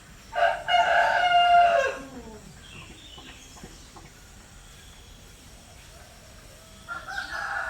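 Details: In the morning, a rooster gives one loud, hoarse crow lasting about a second and a half, then a quiet pause before a second crow begins and is cut off.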